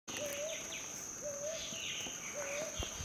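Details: Brown hawk-owl calling from the top of a tree: three low hooting notes, each gliding slightly upward, spaced about a second apart, over a steady high insect drone and faint chirps from other birds.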